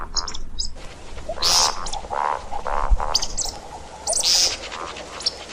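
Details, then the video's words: See-see partridge calling, played as a hunting lure; croaky, buzzy notes alternate with loud shrill high bursts at an irregular rhythm over a low steady background rumble. "صوت طائر الشكب (دجاج الارض) للصيد"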